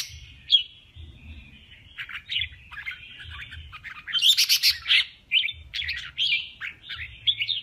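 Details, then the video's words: Male red-whiskered bulbul in contest song, pouring out short chirpy whistled notes in an uneven string. A loud scratchy burst comes in the middle. Soft low hum underneath. "Tiếng kè Kích chào mào Trống Hót đấu"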